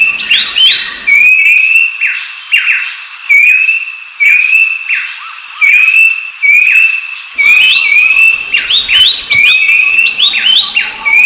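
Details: Sequence of piercing whistles from a rufous-browed babbler. Upslurred notes and flat tones repeat about every second, quiet at first, then joined by a denser chorus of overlapping calls near the end.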